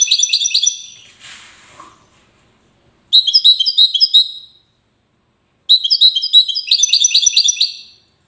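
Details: Wedani-style European goldfinch song from Safi, Morocco, delivered in three bursts of fast, sparkling twitters and tinkling trills, the opening one fading into a soft rustle, with short silences between phrases.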